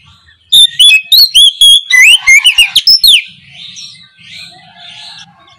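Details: Loud, full oriental magpie-robin song recorded in the morning as a lure for birds slow to sing. Some two and a half seconds of bright, varied whistles, swoops and rapid chips are followed by quieter twittering from other birds.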